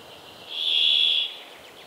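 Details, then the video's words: Single brambling note: a harsh, even, drawn-out wheeze of under a second, rising in loudness and fading off, over a quiet hiss. "Vogelstimmen: Der Bergfink - Mountain fink - Fringilla montifringilla"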